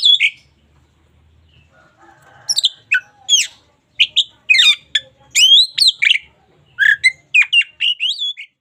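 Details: Singing local Oriental magpie-robin used as a daily tutor song: an opening note, then a near-silent pause, then a lively burst of sharp chirps and down-slurred whistles, densely packed and varied.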